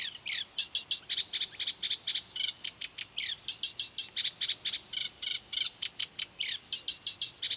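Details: Eurasian reed warbler by the Doubrava river, Lišice, Svatý Mikuláš, on 12 July 2015: continuous rhythmic chatter of about four harsh notes per second, broken by a few downslurred buzzy calls and brief pauses.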